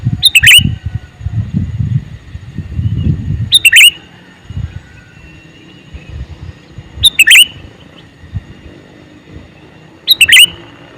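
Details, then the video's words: Calling male sooty-headed bulbul utters four brisk, bubbly phrases at intervals of roughly three seconds, while low thumping and rumbling noises sound in the background during the first half. "Suara Burung Kutilang Jantan MeManggil"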